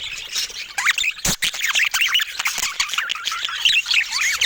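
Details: Budgerigars of various colour mutations give a steady stream of wavering, warbling chirps and harsh squawks that overlap densely, punctuated by one sharp knock early on.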